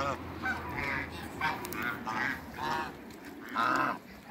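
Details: Farmyard ducks of mixed breeds (mallard, runner, Pekin) at Skydra, Greece, utter short nasal quacks roughly every half second, the last burst loudest, over a steady background murmur.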